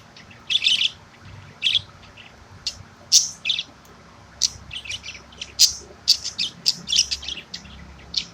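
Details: Morning chatter from a pet budgie at 8:30am during its calcium workout. Scattered squeaky chirps start sparse, then bunch into a rapid twittering run toward the end, over a soft low hum.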